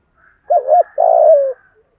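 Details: Decoy spotted dove calling to draw wild doves, 'giọng thổ' voice style: a two-part wavering coo followed by a sustained, slowly falling coo, clean and close.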